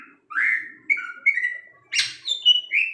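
Long-tailed shrike singing a varied run of clear whistles, slurred notes and one harsh scratchy burst, delivered in quick separate phrases.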